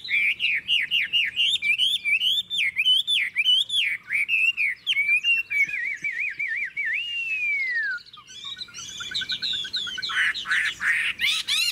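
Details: Caged Chinese hwamei, Tuyên Quang, Vietnam, singing with a wild-type voice: long, fast series of looping, rising-and-falling whistles, a smooth arched slur, then jumbled high chattering phrases.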